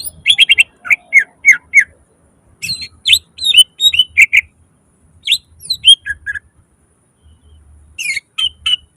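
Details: Greater green leafbird (cucak ijo) singing actively in the gacor style, a full nembak isian song with mimicked phrases: bursts of sharp, high chirps and short slurred whistles in quick runs, separated by brief pauses, with faint low thumps.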